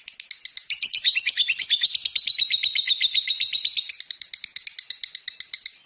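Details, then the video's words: Lovebird song used as a master to train other birds, Indonesia: fast, shrill chattering that swells into a continuous buzzy trill, then breaks back into separate sharp chirps. "MASTERAN BURUNG LOVE BIRD"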